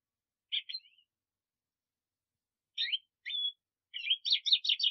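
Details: Short bursts of black siskin twittering: a pair of chirps, a pause, sharp notes with a brief whistle, then a rapid buzzy chatter building at the end.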